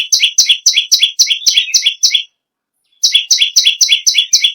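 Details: Bar-winged prinia, the perenjak bawah, singing hard: two bursts of quick, shrill, doubled chirps at a steady rapid pace, separated by a brief silent pause of under a second.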